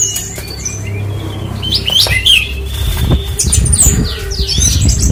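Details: Horsfield's bush lark sings a jumble of sharp chirps and squeaky whistled notes, some sliding up and down, mixed with soft thumps and low rumbling background noise.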